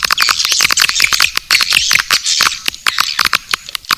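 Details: Calls for luring swiftlets, Naga Birahi track: rapid dry clicks mixed with bright twittering chirps, a few brief high pips standing out, the rattling texture broken by short pauses.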